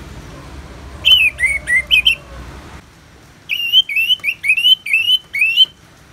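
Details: Orange-headed thrush therapy song with rain sounds: a series of loud whistled notes slurring up and down, repeated roughly every half second in two runs, with low background rumble early on.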